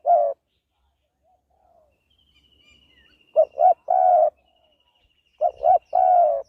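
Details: Spotted dove in rural northeastern Thailand giving a clear low cooing phrase, two quick coos followed by a longer drawn-out coo, repeated twice after an opening note, with a faint thin whistle from another bird behind.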